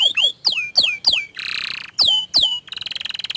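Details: Orange frost canary delivering loud sweeping whistles that fall sharply, interrupted by short buzzy rolling trills, the swoops repeated about every quarter second.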